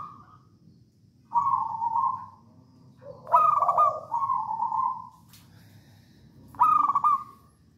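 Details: Local Javanese zebra dove singing as a lure for other doves: a coo, then two loud phrases each opening with a rapid rolling trill and easing into a drawn-out cooing tone.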